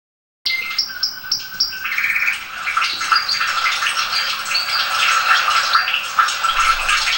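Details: Domestic canary song for teaching and warming up other canaries: after a short silence, rapid repeated high chirps give way to mixed trills and warbled phrases, with fast bursts near four per second.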